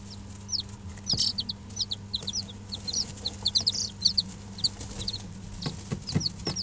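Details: Young Dutch bantam and Barbu d'Anvers chicks at five days, indoors in a brooder, utter bright piercing cheeps, roughly a hundred a minute, irregular and overlapping, plus a few soft knocks and a low hum.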